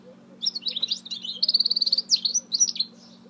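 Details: Continuous bright, twittering and buzzy song from a goldfinch mule, with rapid trills and sharp high whistled notes. A low droning hum and faint cooing sit in the background.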